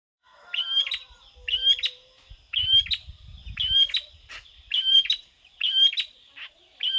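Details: Long-tailed shrike singing vigorously in imitation of a prinia: short sharp chirping phrases, each a quick cluster of high bright notes with a bending whistle, repeated roughly every second with brief pauses between.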